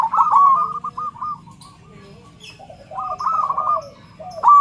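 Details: Perkutut, or zebra dove, with a loud voice, used to teach and provoke other doves into song: rolling, stuttered cooing phrases separated by a quiet gap, with soft lower overlapping coos and faint distant chirps.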